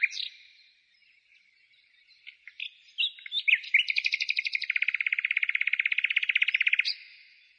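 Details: Bird song in the countryside outside the city, 15 May 2017: scattered sharp chips and whistles build into a long, fast, even trill lasting about two seconds, ending on a high note.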